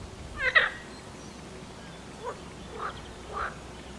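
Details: A mallard with ducklings bathing and preening on the Nezhegol River, Shebekino district, Belgorod region, Russia, gives one short, nasal, harmonic call, then three softer, brief calls about half a second apart, over a quiet, steady hiss.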